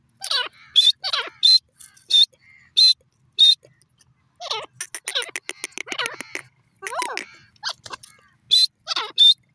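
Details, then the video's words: Grey francolin, known locally as teetar, giving loud, sharp, high calls in short bursts about every half second, mixed with lower descending whistled notes in a quick rhythmic series, clean and close with no other sounds. "grey francolin ki piyare awaz,teeter birds sound"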